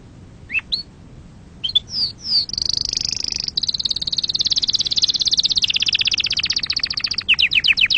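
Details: Canary singing to stir up other birds and train young ones: a few scattered upward chirps open into a long, fast, buzzy high trill held for several seconds, closing with quick downslurred notes.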